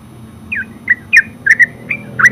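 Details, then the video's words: Yellow-vented bulbul (terucuk) giving a few short slurred chirps, some falling in pitch, in a loose irregular series over low background hum. "Terucuk full suara ngeropel"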